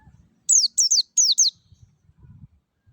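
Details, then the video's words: Wild white-eye lure song for caged birds: four fast pairs of very high, thin notes, each sliding steeply down, packed into about one second, with faint low sounds before and after. "PANCINGAN PLECI NGALAS SUARA JERNIH MEWAH"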